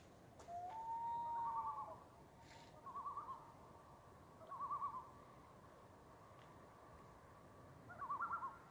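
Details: Common loons on Cheakamus Lake in Whistler, British Columbia, recorded 28 July 2018: a rising wail-like note followed by quavering tremolo bursts near one kilohertz, repeated about every one and a half seconds over a quiet lake background.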